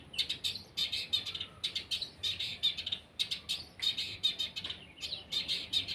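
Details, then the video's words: Cendet, the long-tailed shrike, sunning and pouring out dense, scratchy chattering, rapid high notes packed in bursts with barely any gaps. "JEMUR CENDET SEMBUR PASTOL"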